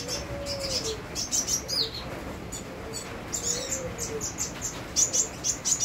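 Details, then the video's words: Sunbird singing actively with rain sounds: repeated bursts of high, buzzy chirps throughout. A softer, lower whistled note recurs beneath them, all over a continuous rain hiss. "Kolibri wulung gacor bonus irama hujan"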